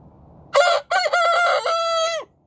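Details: A rooster crows in the morning: a brief harsh first note, a short gap, then a long buzzy held phrase with a final level tail that slides down, roughly 1.7 seconds in all.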